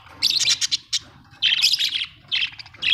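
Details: Pet budgies at home chatter in dense, buzzy, rapid chirping phrases with quick squeaky notes, three bursts across a few seconds.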